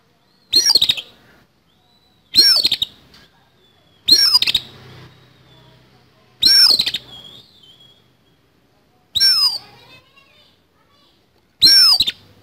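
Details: Oriental magpie-robin contest bird in rough fighting song, six short scratchy, buzzy bursts spaced about two seconds apart, some ending in a brief downward whistle, with near silence between.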